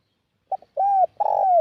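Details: Decoy call of a spotted dove, used to attract wild doves: a brief soft double note followed by two smooth, low hooted coos, the second drawn out and grainier, with no other sounds.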